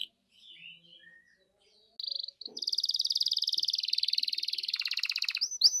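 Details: Canary song meant to goad a canary into singing: a short pause with faint sounds, a brief whistled note, then a long, fast, even trill of high repeated notes.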